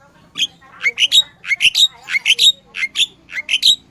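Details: Sooty-headed bulbul in lively, persistent song, a recording meant as a lure for catching birds: short bright rising chirps and warbled notes bunched in pairs and triplets, about nine bursts within four seconds, over a faint low hum.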